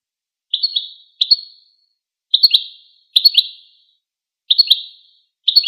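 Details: Goldfinch song: short, high, bright twittering phrases, each a quick cluster of chirpy notes fading out, delivered in bursts roughly every second with brief silent gaps; no other sounds.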